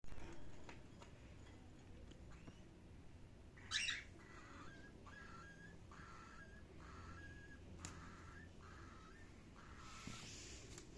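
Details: Cockatiel giving a quiet run of short, even chirps, about one every second, with a sharper, louder chirp near the start of the series and a steady low hum underneath.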